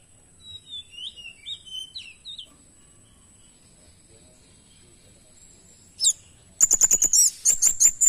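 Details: Kemade bird in full, richly filled song: faint thin whistled phrases at first, then after a pause a loud, rapid series of sharp high-pitched chattering notes repeated in quick succession.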